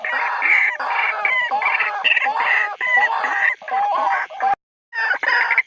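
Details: Territorial calling of a White-breasted waterhen, a lure sound played day and night; loud, grating croaks run on in rapid rhythmic series, with a short silence shortly before the end.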